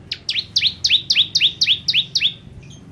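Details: Bar-winged prinia gives a clear, rhythmic series of around nine doubled notes, a sharp high tick then a falling slur, evenly repeated, ending with a thin faint note.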